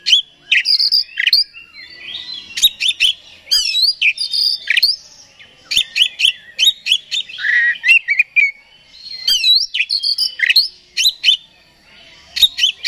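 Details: Oriental magpie-robin (kacer) singing continuously to provoke another bird: a long, energetic medley of loud whistles, sharp chirps and rapid slurred notes in dense bursts with brief pauses.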